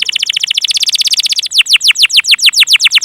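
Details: Canary lure song aimed at young and non-singing canaries: a rapid tight trill of short downward notes that shifts into slower, deeper, widely swept notes, each phrase evenly repeated.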